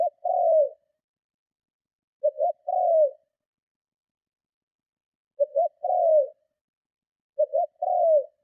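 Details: Repeated cooing of a spotted dove used to lure and provoke rival doves: each phrase a quick two-part stutter followed by a drawn-out descending coo, phrases about two to three seconds apart, four in all.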